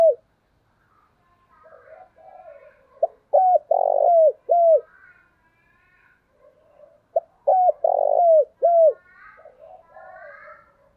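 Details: Spotted dove used as a decoy, cooing to draw wild doves in. Two phrases of several brief notes and one long, drawn-out coo with falling endings. Faint chirps of other birds sound between the phrases.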